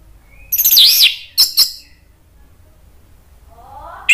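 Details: Orange-headed thrush, singing agitatedly to provoke other birds: a loud looping whistle, two sharp chirps, a quiet stretch with faint rising notes, then a sudden sharp note at the end.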